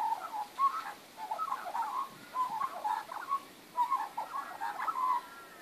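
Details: Magpies warbling in a backyard on 19 April 2014, short chortling phrases repeated about every second, mellow and throaty, with brief dips in volume between them.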